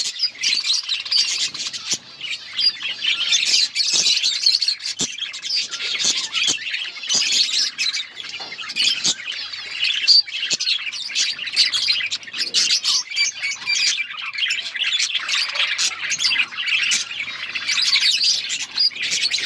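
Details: A flock of budgerigars in a colony keeps up a dense, high chatter of chirps, squawks and warbles.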